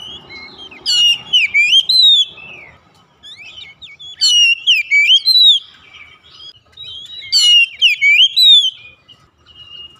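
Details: Home-kept oriental magpie-robin singing, used to encourage reluctant birds: three loud bursts of rich rising and falling whistles with quick sharp upsweeps, separated by quiet spells of about two seconds.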